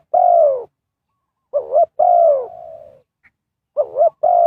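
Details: Spotted dove cooing to call wild birds in trapping, with loud, deep coos that slide downward alternating with quick doubled notes, one long coo trailing off softly, in a rhythmic, repeated pattern.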